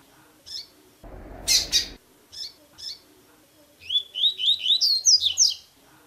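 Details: Blue-black grassquit recording meant to stimulate or teach a captive bird before the new season: scattered high chips and a loud noisy burst, followed by a rapid series of rising whistled notes ending in high twisted slurs.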